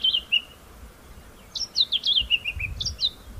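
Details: White-browed scrub robin repeating its own version of the phrase: a few descending whistled notes, then a longer run of slurred high notes, with some low wind-like rumble underneath.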